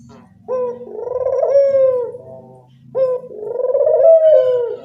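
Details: Barbary dove call played as a lure to attract birds: two deep rolling coos about two and a half seconds apart, each opening with a short note and drawn into a throaty purr, over soft low rumble.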